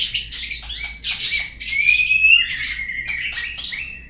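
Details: White-rumped shama lure song, played to make kept birds sing: a dense run of bright, varied whistled and chattering phrases, with a clear rising whistle near the middle and softer twittering notes toward the end.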